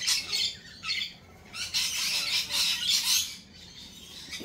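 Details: Loud, harsh screeching from lorikeets at a cafe, several overlapping raspy bursts following one another with brief lulls between them.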